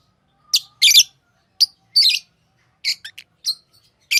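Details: Pet lovebirds giving loud, grating chirps spaced irregularly, some single and some doubled, with softer clipped notes between them and quiet gaps.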